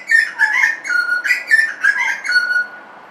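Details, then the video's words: In a suburban setting, a butcherbird pours out a short, dense string of mellow whistles, rising and falling notes run together and ending on a long steady tone. "BUTCHERBIRD SOUND IN SUBURBIA suara burung jagal"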